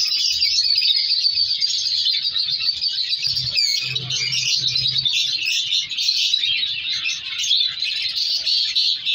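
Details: Captive African lovebird colony kept for colour mutation breeding, giving an unbroken wall of sharp high chirps and twitters, with a few low clunks partway through.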